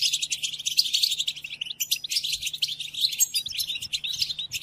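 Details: European goldfinch song played to captive goldfinches for song learning during moult: quick tinkling chirps, a short gap near two seconds, then a denser jangling twitter to the end, with a steady low hum.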